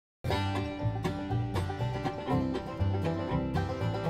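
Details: Upbeat banjo music in a bluegrass country style, with no animal sound present.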